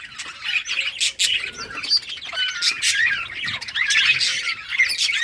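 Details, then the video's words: Budgerigars playing in a breeding colony in summer; a lively mass of high chirps, twittering warbles and short whistled notes, overlapping throughout, with brief bursts of wingbeats. "budgies beautiful colors playing and chirping"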